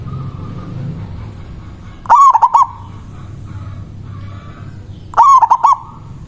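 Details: Manggung song of a local zebra dove, used to draw in rivals: two strong stuttering coo phrases about three seconds apart, with a quiet low hum and a faint even tone between them.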